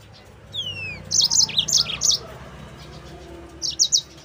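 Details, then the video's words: Yellow-fronted canary song meant to train other canaries, opening with a falling whistle, followed by a lively run of high bouncing chirps and a brief closing trio. "MASTERAN BURUNG MOZAMBIK GACOR"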